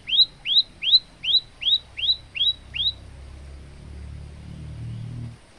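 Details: Eight clear, upward-sweeping whistles from a male olive-backed tailorbird used to train other birds, evenly spaced in about three seconds, then quiet with a low rumbling background.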